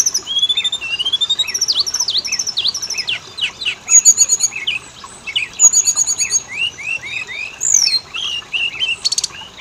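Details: Oriental magpie-robin song played as a lure to prompt both sexes to sing: long run of rising and falling whistled slurs, interrupted by quick metallic trills around four and six seconds.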